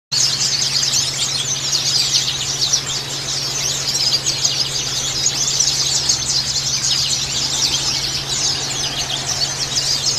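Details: A Bustomi-type white-eye gives a continuous, high, rapid twittering song of tumbling chirps that never pauses, over a steady low electrical hum. The song is used as therapy audio for white-eyes reluctant to sing.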